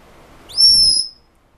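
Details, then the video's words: A pet male Senegal parrot, said to talk and scream more when hormonal, gives one clear, high, slightly rising whistle lasting about half a second after a soft low rumble, while being talked to indoors. "(senegal parrot) Talking"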